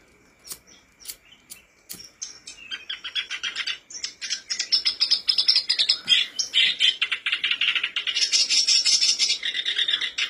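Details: Black-browed reed warbler song used as a lure to prompt caged birds to sing: opens with a few separate sharp chips, then builds into a fast, continuous, harsh chattering stream of scratchy and squeaky notes that grows denser and louder toward the end.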